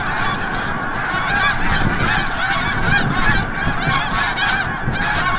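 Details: Snow geese returning from the bay at sunset at Forsythe National Wildlife Refuge, Oceanville, New Jersey; a dense, continuous chorus of overlapping honking calls from a large flock, steady throughout with no pauses.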